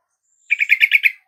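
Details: Caged-bird lure: yellow-vented bulbul song played to coax a silent bulbul into singing back. Six or seven fast, bubbling, liquid notes run together in a short chattering phrase, with a faint thin whistle just before, otherwise quiet.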